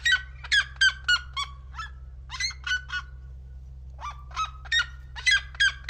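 A Red-legged Seriema gives loud, harsh yelping notes in quick bursts, about three or four per second, with a short pause midway. A low steady hum runs underneath.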